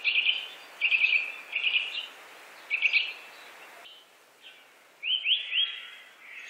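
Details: Eurasian nuthatch uttering groups of rapid high ticks, then a brief quiet spell. It ends with a run of three upward-sweeping whistled notes against constant background hiss.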